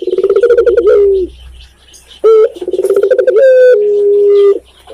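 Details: Spotted dove (Indonesian tekukur) from Indonesia sings loud low coos: a quick throbbing series ending in a falling drawn-out note, a pause, then a sharp upward note, another pulsed run and a long level coo.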